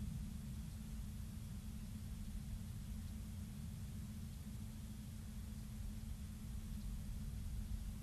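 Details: Steady low rumbling noise, like distant traffic or wind, continues throughout with no animal calls.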